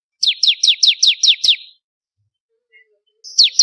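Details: Ciblek kristal, the bar-winged prinia, as a training song: a fast string of seven high, sharply falling notes, then silence and the start of another series.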